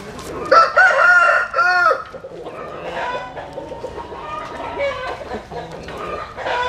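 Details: At first light a rooster crows among chickens basking in the morning sun, giving a loud ringing crow with a wavering, slurred ending, followed by quieter clucking and other fowl calls in the background.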